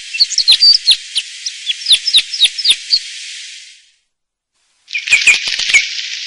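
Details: Red crossbill song: varied high twittering and slurred whistles for about four seconds, a brief silence, then another burst of buzzy chattering notes.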